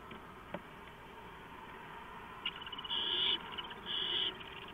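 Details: Three owls sharing a nest-cam housing at 4:45 in the morning, 6 April 2015; two rasping, hissy screeches about a second apart, each roughly half a second long, after faint scratching and clicks, steady hum underneath.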